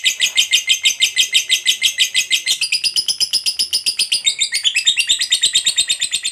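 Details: Ngekek chatter of a lovebird, the long-chattering fighter kind, played as a lure for other birds: dense, evenly pulsed rasping notes, about three per second-fraction, shifting upward midway and running without pause.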